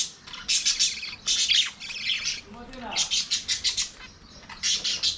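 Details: Budgies at play in an aviary, producing bursts of buzzy, rasping chirps in quick series separated by short quiet spells.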